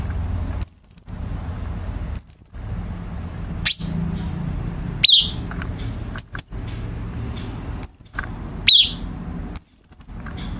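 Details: Used as a master recording for training birds at home, a cucak cungkok bulbul repeats high, level, slightly buzzy whistles and a few quick falling chirps, spaced one to two seconds apart.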